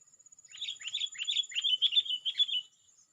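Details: Sooty-headed bulbul in full voice, calling out to rivals so that other bulbuls answer: a quick chain of about nine bubbly, warbled phrases lasting two seconds, with a thin steady high whine running behind.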